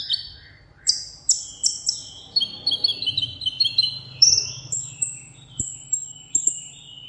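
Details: Tabletop caged sunbird delivering solo contest song: high sharp notes at first, then a rapid tumbling twitter, followed by evenly spaced thin, piercing whistles over a faint low rumble.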